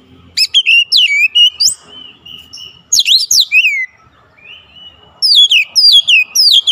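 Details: Kacer (oriental magpie-robin) singing insistently with its isian repertoire: clusters of sharp whistled and chattering notes separated by quieter stretches with a thin held whistle, ending in another bright, rapid phrase.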